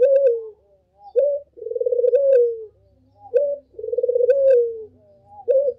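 A Barbary dove gives soft, low coos: a short note followed by a long, rolling, slightly falling 'crroooo', repeated about every two seconds.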